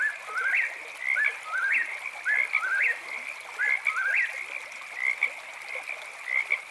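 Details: Nighttime eastern whip-poor-will song, with clear rising-then-falling whistled phrases repeated rhythmically about every second and possibly a second bird overlapping, set against a continuous shrill background of chirping frogs.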